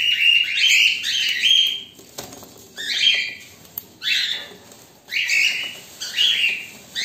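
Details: Pet cockatiels, one black and one white, waiting. They give harsh, screechy high calls in short bursts with brief quiet gaps and a faint click in between.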